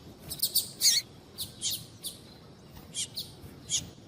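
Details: Fainter high-pitched chirps from a female coleiro tui tui, the double-collared seedeater, calling to warm up a cold male; short notes in small clusters with pauses between, over a low background hiss.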